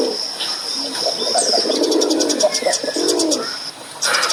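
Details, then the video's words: A male dove gives low, husky coos, one drawn out and falling, amid a continuous high whine, fast ticking, and a sudden burst of hiss at the end. "THE SOUND OF A MALE DOVE"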